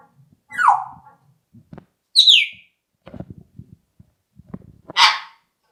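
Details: Grey parrot whistling: a clear descending whistle, then a higher sliding whistle falling in pitch, followed by soft clicks and a final harsh squawk.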